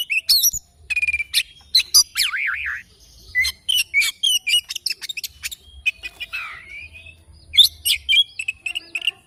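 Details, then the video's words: Oriental magpie-robin in the morning, singing a lively series of sharp chirps, trills and a warbling up-and-down whistle, with a long level whistle early on and brief gaps between phrases. "Kicauan Kacer Dipagi Hari"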